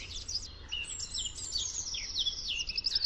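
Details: Eurasian wren, wild, singing more distantly: a jumble of quick, high sliding whistles and twitters over a steady low rumble of background noise.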